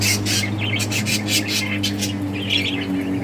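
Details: Budgies from a breeding colony at play: harsh, scratchy squawks and short chirps in quick bursts, with a constant low droning hum beneath.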